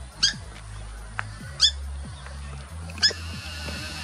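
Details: Alarm calls from a family of Purple Swamphens in Australia, recorded 10 March 2021, warning their teen chicks of a Red-bellied Black Snake. Three abrupt, high, piercing squawks come about every 1.4 seconds, with quiet music underneath.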